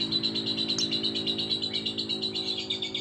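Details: Lovebird song of rapid, high pulsed chattering notes, steady throughout, heard over a constant low humming drone.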